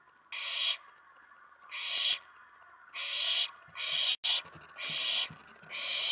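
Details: Owlet in a nest box late at night, 19 May 2017, excited by an owl arriving at the tray around a mouse delivery; seven breathy hissing screeches in an uneven run, with a few sharp clicks and scuffles.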